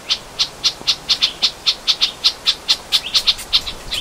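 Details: Hawaii Elepaio of the ridgwayi subspecies in upland rainforest on the Big Island of Hawaii: a loud, rapid run of about seventeen short, bright, high notes, roughly four per second, briefly doubling near the end.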